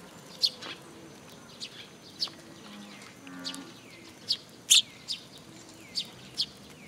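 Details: Sparrows gathering at a feeding spot on a post at a Tenmangu shrine, 26 June 2022: sharp, scattered high chirps at irregular intervals, with a brief low droning hum in the middle.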